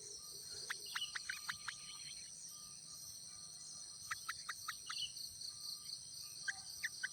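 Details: Wild yellow-vented bulbul at the nest, with a parent raising its chicks: quick series of short, sharp chirps in two bursts, around one to two seconds and four to five seconds, over a constant high-pitched insect chorus.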